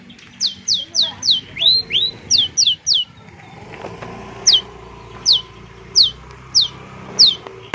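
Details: Six-month-old long-tailed shrike (cendet) imitating chick calls: sharp, high, downslurred whistled peeps, about eight in quick succession over three seconds, then five more spaced roughly a second apart, over a faint steady background hum.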